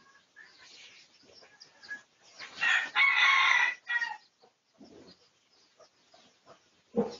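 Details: Pradu-coloured red junglefowl in a research recording dated 18 August 2023, giving a strong rasping crow of nearly two seconds with a rising-falling tone, preceded and followed by soft scattered clucks and chirps.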